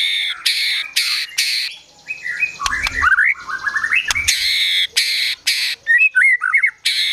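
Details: White-rumped shama singing excitedly, harsh rasping blasts alternating with rising whistled runs and quick slurred notes, its song filled with mimicked calls like sogon and kunti.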